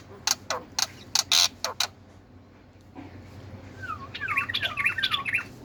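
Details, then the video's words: Black-winged myna singing. Several sharp loud clicks and harsh bursts, a pause, then a run of twisting whistled notes that loop up and down, over faint background noise. "Burung Jalak Putih GACORRR!!!"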